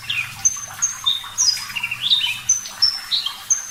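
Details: Clear-voiced Javan bush lark of the parva type in lively song, thin high whistles and slurred notes, some rising, some falling, delivered in quick irregular bursts about once per second.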